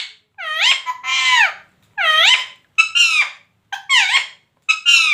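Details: Parrot uttering loud, nasal, voice-like syllables, often in quick pairs with a rising or falling sweep, about six phrases spread unevenly with brief silences between them.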